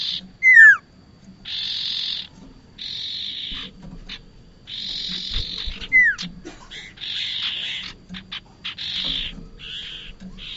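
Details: Lure recording of a bar-winged prinia for trapping: a crisp descending whistle opens, followed by repeated one-second buzzy rasps, another falling whistle midway, then shorter scratchy buzzes and ticks.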